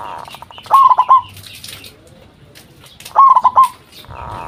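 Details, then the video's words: Local zebra dove singing vigorously as a lure to draw answers from other zebra doves: two short bursts of rapid, bubbling coos, each a quick run of about four notes, separated by a quiet pause. "Perkutut Lokal Gacor RAJA PIKAT Ahlinya Bikin Semua Burung Perkutut Pada Nyaut"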